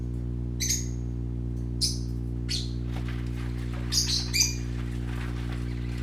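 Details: Baby parakeets at play utter spaced, ringing high chirps with a piercing upper tone, then a closer pair of squawky notes, above a steady background hum.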